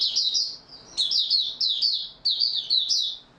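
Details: White-eye (Mata Puteh) delivering its opening song in stable form on 28 February 2022, a tight run of shrill, fast tumbling chirps in three close-packed bursts.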